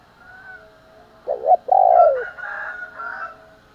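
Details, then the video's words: Spotted dove coo used to provoke fighting and as a morning call: a brief stuttered note, then one long, smooth, slightly falling coo, followed by softer, higher bird chatter. "cu gáy thúc đấu, và gáy gọi buổi sáng"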